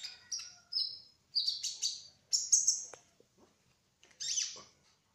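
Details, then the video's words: Kolibri ninja sunbird giving a trotol-style song: high, slurred whistles and thin buzzy notes in short phrases, a few faint ticks, then one bright high note after a pause. "Kolibri Ninja Trotol Gacor Ngerol : Singing Hummingbird"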